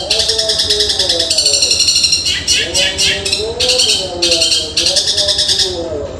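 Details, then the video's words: Cendet song in a style likened to a woodpecker, very fast and tightly packed: dense rapid bursts of harsh, buzzy high notes repeated in quick pulses, with a lower wavering whistled tone running beneath. "Cendet tembakan gereja super dahsyat seperti pelatuk bawang speed super rapat"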